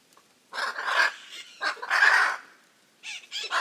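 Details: Hyacinth macaws, huge parrots living in noisy groups in the Pantanal, Brazil, trading a series of grating, raucous squawks, five or six bursts in under four seconds.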